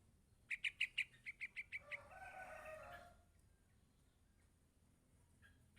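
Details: Yellow-vented bulbul youngster calling its parent with a quick run of about eight sharp chirps that fade slightly, followed by a broad rushing noise and quiet.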